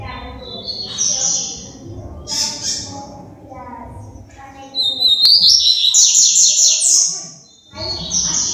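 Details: Wing-trembling female double-collared seedeater utters scattered high chips, then a sustained, rattling, buzzy trill with rapid pulses, and ends with a few more sharp notes. Brief human voice sounds underneath.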